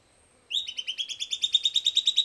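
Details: A silvered antbird sings a quick series of about sixteen ringing notes, starting abruptly after a brief silence, climbing a little in pitch and getting louder as the phrase goes on.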